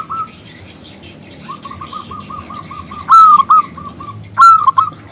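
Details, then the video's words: Local zebra dove with a loud crystal voice, calling a male to answer. A short note opens, then a steady series of soft coos follows. Two loud ringing phrases, each a long note and quick short ones, come near the end. "PERKUTUT lokal Gacor Suara BESAR Kristal Memanggil JANTAN ngajak BUNYI"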